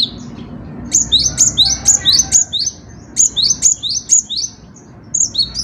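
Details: High, ringing song from a cinereous tit: clipped rising notes in rapid groups of four or five, with brief gaps between the groups and a faint hum behind.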